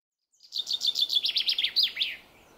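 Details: A common chaffinch singing in a forest gives one bright two-second phrase: quick repeated high notes, then a run of slurred descending notes, ending in a sharp flourish.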